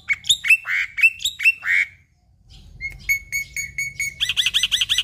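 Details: Energetic Black-winged myna song full of mimicked phrases: harsh squawky notes with bending tones, a brief pause, then a quick series of thin repeated chips and a fast buzzy trill.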